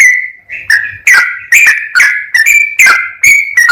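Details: Trucukan (sooty-headed bulbul) in lively continuous song: a long level whistle, then a string of bright slurred notes rising and falling, roughly two to three per second.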